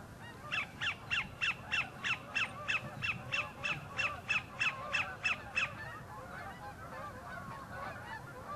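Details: At the northern end of Horicon Marsh, a sandpiper sings for a mate: a long, steady series of about fifteen sharp, clipped notes, roughly three a second, then stopping, with geese honking softly behind.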